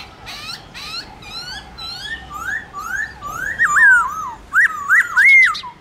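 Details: Trained Black-throated laughingthrush singing its morning forest-style song: soft high chattering notes give way to loud, looping whistled phrases that swoop up and down, growing stronger toward the end.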